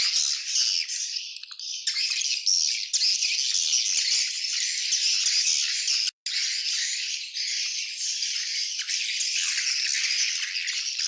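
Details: Genuine swiftlet colony sound: continuous high buzzy chatter from numerous birds, dense and rattling, interrupted by one short silent cut.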